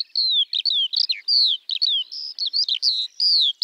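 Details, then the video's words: Eurasian skylark, Alauda arvensis, singing over open fields in early spring, a fast unbroken stream of high sliding whistles and short chirps with only brief gaps. "Kiurun / Leivon laulua | Skylark Singing"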